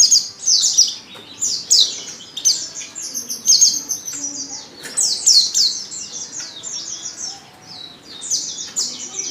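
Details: White-eye female in heat, calling to a male: irregular flurries of very high, thin descending chirps, some bursts longer and denser, fading slightly near the end.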